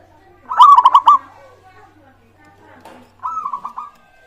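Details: Zebra dove of a local strain, singing as a lure for other birds: a strong coo that rises then rolls into quick pulsed trills, a faint click midway, and a second softer trilled phrase.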